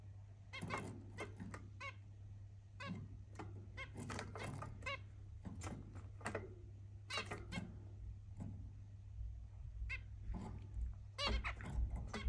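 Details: Zebra finches give courtship mating calls: short, nasal, toy-trumpet beeps in quick irregular bursts over a steady low hum.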